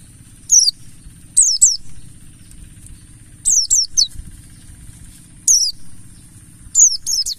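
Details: Mountain white-eye song used as a lure to set other white-eyes singing: short, very high, sharply descending twittered phrases in quick pairs and triplets, repeated every one to two seconds over a steady high whine and a low hum.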